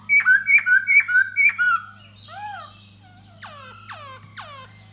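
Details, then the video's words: Courting laughingthrush, 'da bò' type, singing and dancing for a female. Five bright, rising-falling whistled phrases come in quick rhythm, then softer arched notes and sharp down-slurred chips, ending in a high thin whistle. "Khướu Da Bò Hót Múa Dzụ Mái"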